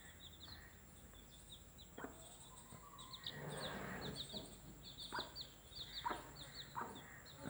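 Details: Broody mother hen with her chicks, calling them to come and eat; short low clucks at irregular intervals under a steady stream of high, thin chick peeps, with faint background hum.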